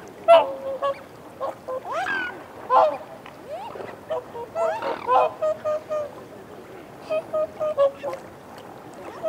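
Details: Whooper swans feeding on a bank and exchanging reassurance calls: loud, irregular trumpeting honks with some rising, swooping notes, then a steadier series of short, even honks toward the end.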